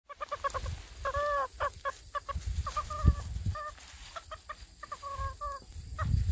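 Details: Chickens outside on a windy day, giving short harmonic clucking calls in bursts and runs of two to four notes, with low gusts of wind rumbling underneath.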